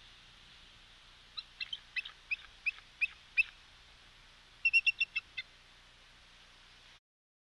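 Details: Wild bald eagles at the West End nest, captured by a live nest camera on 9/3/22 around 10:28: a series of thin, high, piping chirps speeding up slightly, then a second quick burst, over a steady background hiss.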